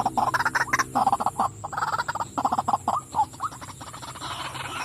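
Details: Female white-breasted waterhen calling: a dense, jumbled run of harsh, croaking notes in quick succession, with overlapping syllables and short pauses, against a steady background hiss.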